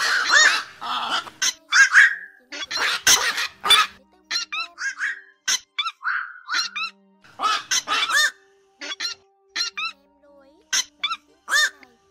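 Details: Night lure recording of black-crowned night herons calling as a flock, used to pull birds into nets during the August 2024 migration: rapid harsh squawks and croaks, some with downward-bending nasal tails, tumbling in dense irregular runs.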